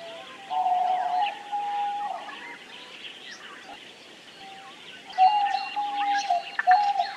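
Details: Sustained steady tones from a diamond dove (Geopelia cuneata), loud at the start and again after a quiet stretch, with one short low note, over constant high-pitched chirping from surrounding small birds.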